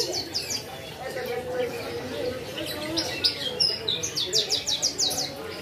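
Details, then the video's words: Javan bush lark singing energetically, recorded as a tutor for other birds: faint high chirps early, then a run of about seven quick sharp notes near the end, over constant low background noise. "Branjangan KL Gacor"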